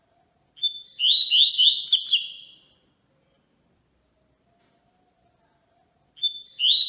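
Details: A Yellow-bellied Seedeater (tui-tui) sings a training song for young birds: a high, sweet phrase that opens on a held whistle and breaks into quick, varied notes.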